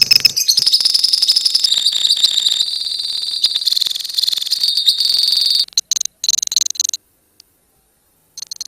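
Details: Continuous high buzzing trill from colony lovebirds for over five seconds, then fading to scattered chirps and near silence, a sound meant to set other lovebirds off into long 'ngekek' singing.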